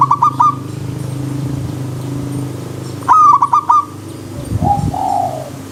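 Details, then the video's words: Zebra dove (perkutut) song with a wild-nature river-stream backdrop: two loud stuttering cooing phrases of quick clipped notes, the second near the three-second mark, over a steady low rumble, then a softer, lower bird note near the end. "Terapi Perkutut Alam Liar"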